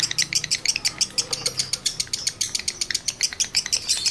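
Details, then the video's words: Lovebird cock in strong breeding condition, meant to set other males chattering: dense stream of shrill, high chirps, roughly three a second, slightly uneven, with a faint low hum beneath. "Masteran Lovebird Jantan Birahi Tinggi || Pancingan Birahi Lovebird Jantan"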